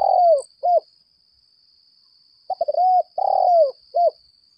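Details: Decoy spotted dove of the 'lambung kuk' type giving a fighting call: a long, slightly falling coo and short paired notes, repeated in two bursts separated by silence, over a steady high thin whine.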